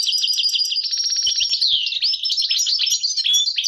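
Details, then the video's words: European goldfinch singing continuously: a bright, fast jumble of high twitters, slurred whistles and metallic notes without pause. "Goldfinch singing - canto del cardellino"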